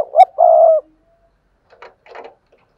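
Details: Spotted dove decoy used to make newly caught doves coo; one clipped phrase ending in a long, even croo, followed by soft scratchy rustling sounds.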